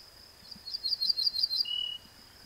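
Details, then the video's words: An Ortolan bunting sings a ringing, pleasant strophe: a quick run of about six rising high notes, then a lower, drawn-out falling closing note, with a faint steady high hiss behind it. "Ortolan śpiew"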